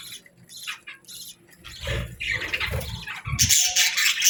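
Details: Morning chirping of budgerigars: quiet, scattered high twitters that swell into loud, dense, scratchy chatter near the end, with low dull thumps in the middle.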